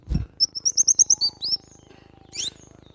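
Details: Cinereous tit song, from a training recording for cage birds: a quick run of about eight short, high, evenly spaced notes, then a few lower slurred notes and a later down-sweeping call, over a faint low hum.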